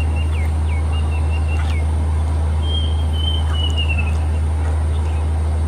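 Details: Plaintive cuckoo singing in Hong Kong forest on 1 May 2025, a summer migrant: a few short whistled notes, then a longer string of whistles falling in pitch, with a constant deep hum beneath.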